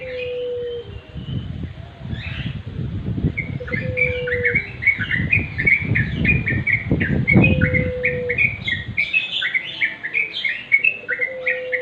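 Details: Sooty-headed bulbul with natural song: quick repeated chirps building into a dense bubbly chatter, broken by short low whistles, over rumbling background noise that stops toward the end.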